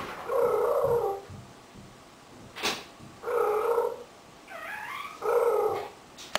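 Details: An 18-year-old pet African grey parrot indoors produces three low, rough, belch-like bursts about two seconds apart, with a short wavering meow-like squeak between the last two and a sharp click.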